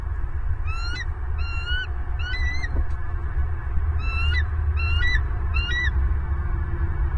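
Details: Bald eagle on its nest in Southwest Florida, live camera feed, 30 November 2022, first egg period: six squealing, rising chirp series delivered in two sets of three, with a brief pause between, over steady low rumbling noise.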